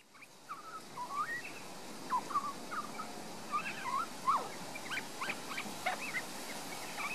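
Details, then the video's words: Young resident Australian magpie singing in a garden in Queensland, Australia, filmed with a Panasonic Lumix DMC LX7 camera; quiet, rambling warble of short twisting whistled notes, some rising and some falling, over steady background hiss. "Young Magpie's beautiful song"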